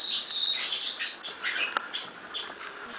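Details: European serin song, quieter here: a high, glittering trill at the start that fades into softer, sparse chirps.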